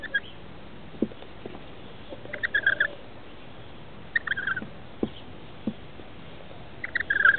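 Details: Begging from two young rainbow lorikeets, 21 and 17 days old, nesting in a roof space while adults arrive to feed them, 23 October 2013: short rattling, buzzy chatter bursts repeated about every two seconds, with soft knocks and rustling between.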